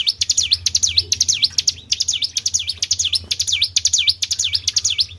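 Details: Tribel bird call played to lure other birds, loud and insistent, with sharp ticks leading into shrill whistles that drop and climb back, repeated roughly twice each second over a faint low drone.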